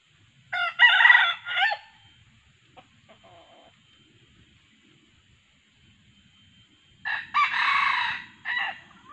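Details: Wild red junglefowl giving two loud, harsh, multi-syllabic crows about six seconds apart, with faint clucks between them, recorded while trapping with a male decoy bird and female calls.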